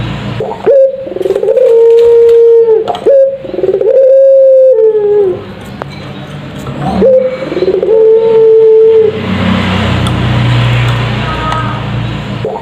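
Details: Lure call of a puter pelung dove, meant to make other doves answer: loud, drawn-out level coos with a sharp rising start, in three phrases, followed by a rough rumbling noise.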